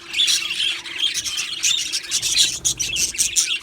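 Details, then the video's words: Colony of pet budgerigars chattering nonstop, with scratchy squawks, thin chirps and warbled notes overlapping in a continuous high jumble over a faint electrical hum. "Australian parrot Chirping Sounds | Australian Budgies Parrot Singing Video"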